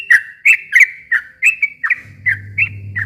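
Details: Sooty-headed bulbul in long, lively song, played to stir a quiet bird into calling. Husky, slurred whistled notes repeated about three times a second, with a steady low hum starting midway.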